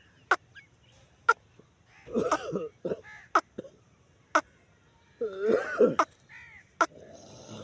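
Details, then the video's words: Grey francolin calling: two bursts of harsh, grating, wheezy notes with layered tones, set among loud sharp clicking snaps repeated about once a second against a quiet background. "Dakhni teetar ki awaz"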